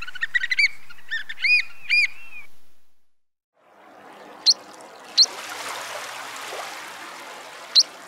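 A plover gives a quick run of clear, arched whistles, then three sharp single whistles over steady surf or wind hiss.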